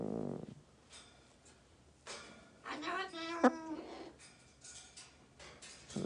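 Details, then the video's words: Pet parrots that got out wake their owner, who is sleeping in late; a parrot gives a short run of harsh, nasal, voice-like calls over about two seconds, with softer chatter before and after in a quiet room. "앵무새가 탈출해서 사람 깨우는 방법"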